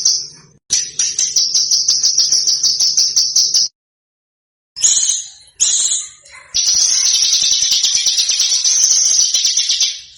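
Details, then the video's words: Indonesian training recording of a small bird, used to tutor contest cage birds: a long, piercing, rapid high trill, broken by a silent pause, then more shrill chatter and another sustained buzzing trill. "Suara BURUNG KECIL !!! MASTERAN BURUNG KECIL TEMBAKAN TAJAM DAN SUPER PEDAS"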